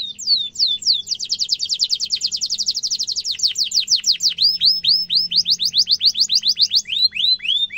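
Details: Canary in full song with a sharp rolling trill, offered for tutoring young canaries: a few slurred notes, then a very fast, even high trill, shifting into looser repeated downward chirps.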